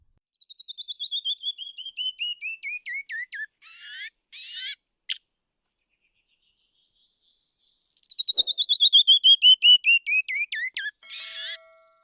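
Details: Canyon Wren from the rock canyons of West Texas and Big Bend sings twice: a clear, cascading, descending run of whistled notes that speeds up and ends in rough, buzzy notes. Canyon walls amplify its song.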